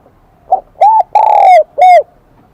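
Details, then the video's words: Wild-caught spotted dove singing in the high, ringing 'Kim Đồng' voice style: a short soft note, then three looping, bright coos, the middle one longest and drawn out, ending in a clean rounded note. "Tiếng chim cu gáy giọng KIM ĐỒNG bổi nghe rất nhạy"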